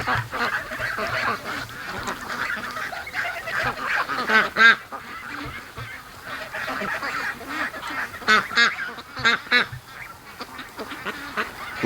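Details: Free-range ducks in the morning rush, a softer background of overlapping quacks with a few louder bursts of harsh calls standing out.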